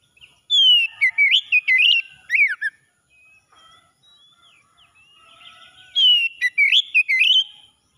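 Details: Oriental magpie-robin in morning song, for stressed birds that have stopped singing: two vigorous bursts of varied slurred and warbled whistles, separated by a few seconds of quieter, distant whistled notes.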